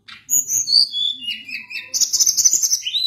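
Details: Sunda blue robin singing energetically: high whistles stepping down in pitch, then a fast, scratchy trilled chatter of quick repeated notes about four per second, ending on a rising whistle.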